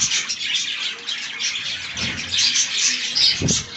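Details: Budgerigars eating green leaves: a constant high, twittering warble from many birds, plus brief low knocks near the middle and the end.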